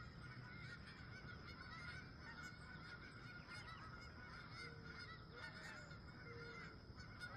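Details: Wild geese at sunrise while camping, a flock honking constantly with clear, repeated nasal calls rising out of the chorus, over a low rumbling background.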